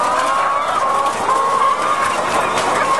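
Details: Caged laying hens on an egg farm in France, February 2012, drawn-out tonal whining notes standing out above a dense murmur of overlapping flock calls and barn noise.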